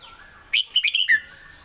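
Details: One crisp phrase of southern-style song from a caged red-whiskered bulbul: a quick run of four bright whistles ending in a lower, downslurred note, with faint background sound.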